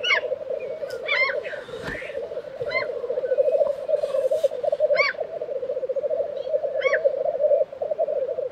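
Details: Lekking black grouse, Tiveden, Sweden, April 2023, keep up a continuous low bubbling murmur while several harsh, explosive hissing calls burst out irregularly across the recording.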